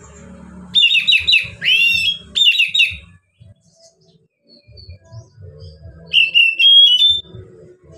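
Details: Oriental magpie-robin singing a relaxed song used to coax lazy magpie-robins into singing; bright rapid whistled phrases and upward sweeps early, a pause with faint low hum, then a clear rising whistled phrase.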